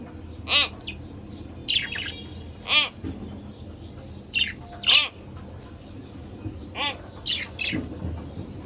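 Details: Pair of pet budgerigars calling, with sharp harmonic chirps spaced about every second or two, interspersed with softer chattering notes over a low room hum.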